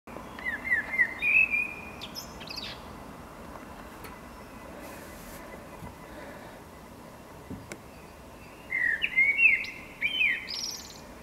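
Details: A common blackbird (Turdus merula), a strong neighbourhood singer, gives two short, fluty warbled song phrases ending in higher squeaky notes, several seconds apart, over a steady low background rumble.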